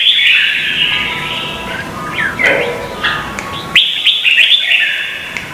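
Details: Vietnamese red-whiskered bulbul singing in competition, lure sound for training: warbled whistled phrases, a quieter middle with scattered chirps, then a loud renewed burst of rapid notes.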